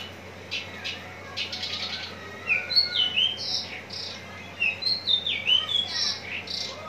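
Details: Contest-ready Javan bush lark from Citra Raya, Cikupa, Tangerang, singing a varied string of high whistled slurs, rising and falling sweeps and buzzy notes, delivered in uneven rapid bursts.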